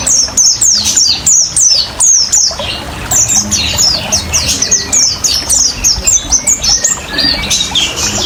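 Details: High, thin, downslurred whistles from an oriental white-eye in ngriwik ngalas style, repeated in quick bursts and then a denser twittering stretch, with trickling water beneath; a lure and therapy recording for caged birds.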